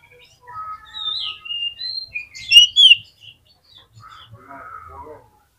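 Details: Oriental magpie-robin song used as a lure to get other magpie-robins singing. Clear, varied whistled phrases climb to a couple of loud, sharp notes, then fade into lower, softer warbling.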